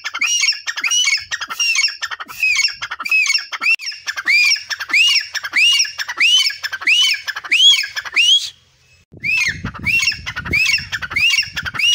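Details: Grey francolin calling while sitting next to a tube well in a garden, giving loud, harsh, rising squawking notes about every half second in a steady series, with a brief pause and some low rumbling noise.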